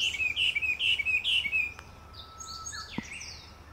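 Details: Chinese hwamei giving a few loud, swooping whistled notes in quick succession, then falling quiet. Fainter, thinner high notes, a couple of clicks and a low background hum follow.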